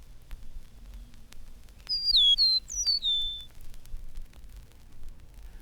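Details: High, clear whistles of an Eastern Meadowlark perched on a telegraph pole. After a quiet start comes one pure whistled phrase of two linked groups of downward-slurred notes. Quiet hiss in the background.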